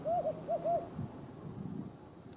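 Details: Desert tawny owl (Strix hadorami), one of a calling pair in a remote part of the Judean Desert, Israel, during a bird race: a short run of four soft, arched hoots close together, then a quiet background with faint low rumbling.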